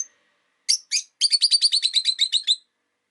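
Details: Pet rosy-faced lovebird in a window-side cage, one of five, chirping in winter: two sharp opening notes, then a quick even string of about a dozen shrill, harsh chirps.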